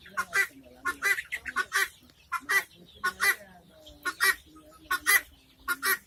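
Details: Helmeted guineafowl calling: loud, harsh, rasping notes, mostly in double bursts, repeated about every second with short irregular pauses, over a faint low steady tone between calls.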